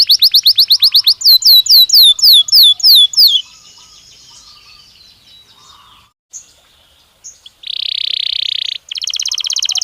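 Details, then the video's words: Warm-up stimulus song of a Belgian canary: a bright series of fast down-slurred whistled notes, a quiet pause with soft chirps, then a thick buzzy roll and a rapid high trill. "Som de estímulo que faz o canário belga responder com voz mais clara"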